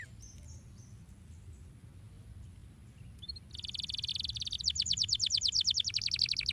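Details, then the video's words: Canary singing, used to stimulate canaries to sing: after three quiet seconds, a buzzy rasping burst gives way to a fast, even trill of short notes. "Como estimular rapidamente o som do canário para que você seja diligente no chilrear!"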